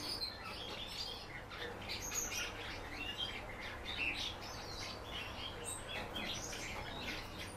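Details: Indoor house martin singing a lively, continuous twitter of sharp chirps and buzzy squeaks that rise and fall, with a faint flutter and a steady hum beneath.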